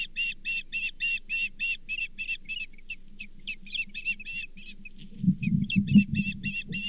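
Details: Osprey at the Charlo nest with a brown bullhead fish, 24 April 2023: rapid series of high, harmonic whistled chirps, about two per second, tapering off midway. An electrical hum and low thumps and rustling run underneath.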